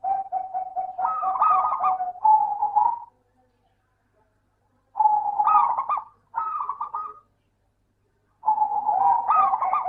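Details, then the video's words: Local zebra dove used as a singing lure: a long, staccato cooing run that starts with even notes and becomes trilled, followed after a silent gap by two shorter bursts and a closing phrase. "Suara burung Perkutut Lokal - PINTAR PANCING PERKUTUT MALAS BUNYI"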